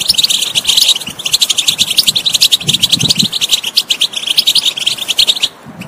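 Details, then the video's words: European goldfinch singing, meant to set off a quiet bird: bright, rapid twittering and buzzy trills pour out without pause, then stop abruptly near the end. "saka kuşu huylandırma بتبتة بتجنن طائر الحسون إن كان الطائر لا يغني جرب وحكم"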